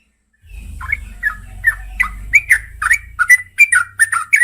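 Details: Female yellow-vented bulbul calling the male at night: a steady series of liquid, slurred chirps, roughly two or three per second, growing louder and sharper, over a faint low rumble.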